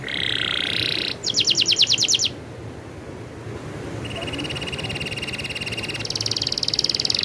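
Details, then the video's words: Canary in energetic rolling song, switching between tours: a buzzy band, then rapid high pulsed notes, a quiet pause, and long fine rolling trills that grow louder toward the end, with low background rumble. "suara burung kenari ngerolll super gacor"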